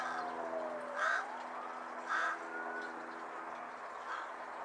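Carrion crow giving harsh, hoarse caws: two loud ones about a second apart, then a fainter third, over a steady low mechanical hum.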